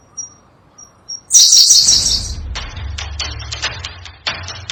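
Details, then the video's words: Sunda blue robin, a Java and Sumatra endemic, recorded as tutor song for songbirds: faint thin high notes, then a loud, very high, squeaky jumbled burst under a second long, followed by scattered sharp clicks over a low rumble. "Berkecet biru, burung unik dengan kicauan merdu"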